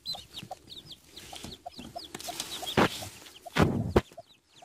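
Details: Newly hatched Denizli chicks under a hen in Rize give a string of high, downward-curving peeps. Soft low clucks run beneath them, and two loud bursts of rustling handling noise break in.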